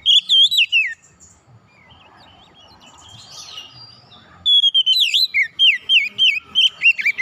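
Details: Oriental magpie-robin singing, played to get a silent bird singing again: loud bursts of rich whistled, swooping notes, a pause of soft background noise, then another rapid run of looping whistles.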